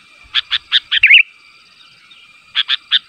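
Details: Sooty-headed bulbul calling to draw answers from other bulbuls: four clipped chirps lead into a brief liquid warble, then a pause before three more clipped chirps.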